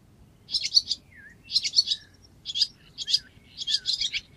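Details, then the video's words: Barn swallow (Hirundo rustica) in Cincinnati, Ohio, giving bursts of high, scratchy twittering chatter about once a second with short slurred notes between, over a faint low rumble. "Barn Swallow"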